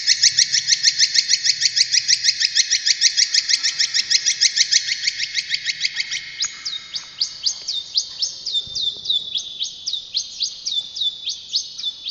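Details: Brown shrike, a favourite pet songbird able to imitate other birds, rattling fast dense chirps for six seconds before slowing into clear separate upslurred notes roughly three per second.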